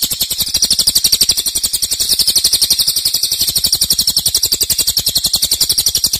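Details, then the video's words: Cililin singing a loud, long-lasting 'nembak' song: an unbroken, very rapid, high, shimmering trill of evenly spaced pulses, about ten per second, steady in volume throughout. "Cililin nembak keras dan Rafat durasi fanjang"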